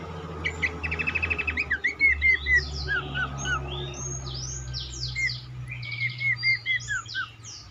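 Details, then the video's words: Cingcoang lure song meant to encourage other cingcoang to sing: a quick buzzy trill, then paired down-slurred whistles and high sweeping chirps from several overlapping singers, over a steady low hum. "burung cingcoang lain semakin gacor dan rajin berbunyi dengan pancingan ini"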